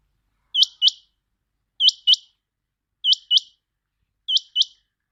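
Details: Quail lure call: evenly spaced double notes, each note high-pitched, sharp and rising at the end. Four pairs come about 1.3 seconds apart with no other sounds.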